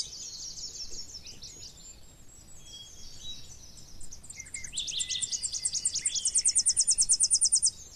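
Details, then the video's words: A Tennessee warbler's song starts with soft, high chipping. It builds into a run of sharper staccato notes, then a loud, rapid, machine-like trill, about sixteen notes a second, before stopping abruptly. "El Chipe Peregrino"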